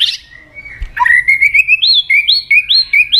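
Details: White-rumped shama (murai batu) lure song: after a short noisy burst, a steady series of clear whistled notes climbing step by step, each a short rising slur, repeated about every quarter second.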